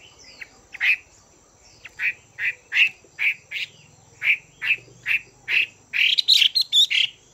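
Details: Female Chinese hwamei calling to stimulate males and provoke them to fight: a steady series of short, harsh, squawky notes about twice a second. The notes crowd together into a faster burst near the end.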